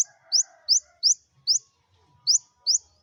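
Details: Olive-backed sunbird singing to stimulate other birds to sing: short high rising chips repeated about every third of a second, with a pause midway and faint low sounds behind.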